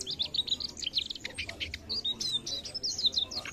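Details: Mugimaki flycatcher singing energetically: rapid high chirps, trills and thin whistled notes in quick succession, some buzzy elements, continuous through the passage with faint low background hum.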